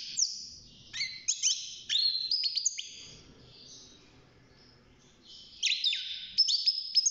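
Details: Six-month-old European goldfinch singing inside its cage as it starts to find its voice; two bursts of bright twittering and slurred high notes with a quiet gap of about two seconds between them.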